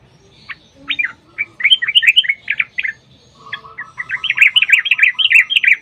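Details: Yellow-vented bulbul in a long, rapid 'ropel panjang' song played as a lure to make other bulbuls sing: bursts of bubbly, chattering notes around mid-high pitch, a short pause, then a faster run of rolling, warbled notes.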